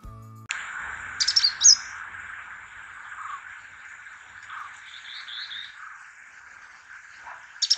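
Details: Purple-rumped sunbird (Leptocoma zeylonica), endemic to the Indian subcontinent, giving a quick burst of high, thin chirps, then softer twittering notes, over a steady low background hum or faint music.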